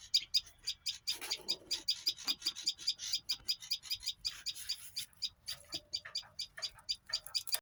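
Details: High chirps repeat quickly and somewhat unevenly, with a denser patch of overlapping notes near the middle and soft rustling below.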